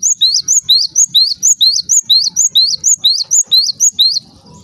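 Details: Java sparrow calling to stir other Java sparrows: rapid, regular high chips sweeping upward, about two each second, ending in quiet low noise.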